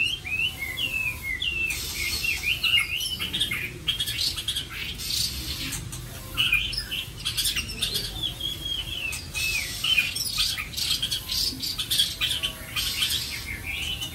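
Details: Captive white-rumped shama kept at a home in Vietnam sings varied whistled phrases, rising and falling slurs and quick twittering runs, broken by loud broadband rustling bursts.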